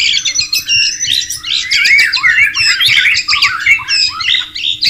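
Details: Wild white-rumped shama recorded beside flowing water, pouring out a dense, continuous high song of rapid whistles, slurred notes and twittering chatter with barely a pause.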